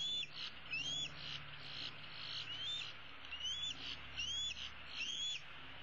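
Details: Female bald eaglet roosting in a tree calls for her parents to bring food: thin, piercing, rising whistles, about five in six seconds, with a low background rumble.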